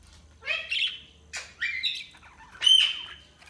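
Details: Budgie chirps: three bright, harsh squawky notes, each with stacked harmonics, the last ending in a long level whistle, over a quiet low hum.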